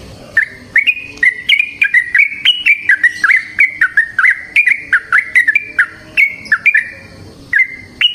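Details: Yellow-vented bulbul in the wild delivering a long, lively 'ropel panjang' song: loud, continuous bubbly whistled notes, each a short chirp bending up or down, run together almost without pause for eight seconds.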